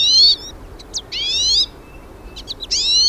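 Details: Several hooded siskins singing outdoors in nature: long, clear, high whistled notes that slide upward, with short sharp chips between them.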